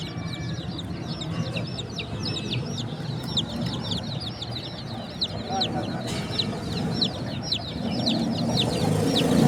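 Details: A group of baby chickens chirping: many high, short, sharp peeps overlap in a rapid stream, several each second, and continue throughout over a steady low background rumble.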